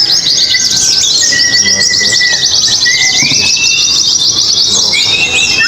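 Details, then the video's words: Oriental white-eyes competing in a singing contest at an Indonesian contest pole, producing a dense, continuous high twittering chorus of rapid chirps, overlaid by long, steady whistled tones that slide upward between phrases. "pleci ABIRAWA dan R7 adu mekanik di gantangan"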